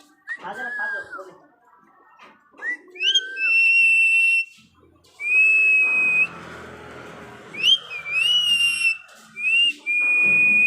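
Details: Pet parrot whistling indoors: loud, pure, sustained tones, some sliding upward before holding steady, delivered in bursts of one to two seconds with brief gaps and a low background rumble.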